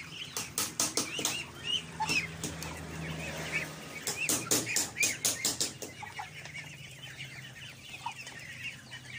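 A flock of domestic ducks keeps up busy, overlapping quacks and chatter, mixed with sharp flapping or splashing bursts over a steady low hum.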